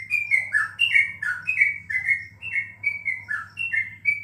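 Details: Yellow-vented bulbul kept in a cage for bird contests, recorded at home during corona, pouring out rich bubbling whistled notes in quick succession, each dipping downward, with a low electrical hum underneath.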